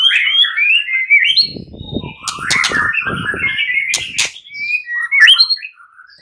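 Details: Fighter-class white-rumped shama males, kept birds, answering one another in lively agitated song: varied whistled phrases sliding between mid and high pitch, with soft low thumps in the middle.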